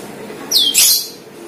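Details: Cucak keling lure call: a single bright whistle sliding steeply downward, followed at once by a short harsh burst.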